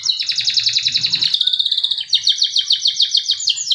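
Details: Male canary song, a lure for canaries that have gone quiet: a loud, dense rolling trill followed by a clearer series of repeated chirped notes at about three and a half per second.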